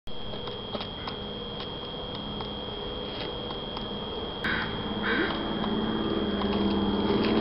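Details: Woodpecker in Stanley Park searching for grubs in a live tree: soft, irregular taps scattered through the recording, a few per second at most, over a steady electrical hum, with low rustling and murmuring noise building toward the end.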